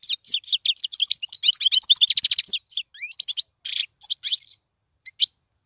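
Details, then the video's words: Tutoring song of a European goldfinch for young birds: a fast, continuous twittering trill of sharp high notes, then a buzzy burst and a few scattered chirps. "اسمع المقنين واعطي رايك فيه,افضل تغريد لتعليم الفراخ"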